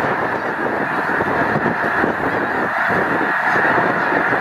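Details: Over a million Snow Geese gathered at Loess Bluffs National Wildlife Refuge on a fine day, 21 February 2020, make a dense, unbroken roar of overlapping honks and yelps with no single voice standing out.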